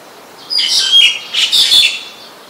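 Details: Black-collared starling in Ubon Ratchathani, Thailand, recorded 12 July 2020: two harsh, squeaky bursts of mixed chattering notes, each under a second long.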